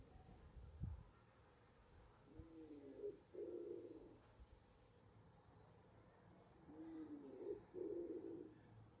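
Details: Wood pigeons nesting in a balcony box: two low, soft cooing phrases, each a short rising note followed by a longer throaty coo, over quiet background hum.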